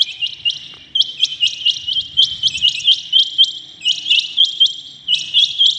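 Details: Rain quail at dawn, calling in a rapid run of sharp, piercing high notes grouped in fours and fives, steady and insistent across the whole stretch.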